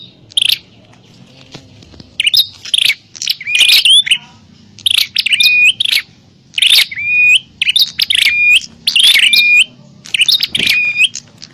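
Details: Fighting call of a bar-winged prinia used as a lure for wild birds: separate bursts of raspy chatter, each ending in a sharp rising whistled note, spaced by brief silences.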